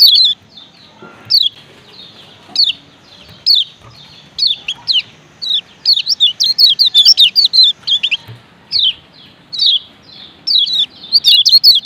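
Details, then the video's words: Ciak ciak calls from a male Lombok lemon-bellied white-eye. Sharp, high, down-slurred chirps come singly at first, spaced a second or so apart, then build into fast clustered runs of chirps. "Ciak Ciak Kecial Kuning BERINA JOSS JANTAN"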